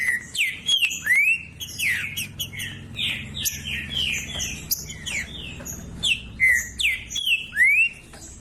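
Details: Green-winged saltator singing loudly, kept to warm up a quiet bird; rich whistled phrases with rising and falling slurred notes, repeated in quick bursts about once a second, with softer chirps overlapping.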